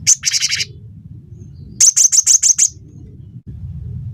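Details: Cinereous tit (gelatik batu) used as a lure to make songbirds sing: a short buzzy chatter followed after a pause by six sharp, evenly spaced high notes, with a low humming background.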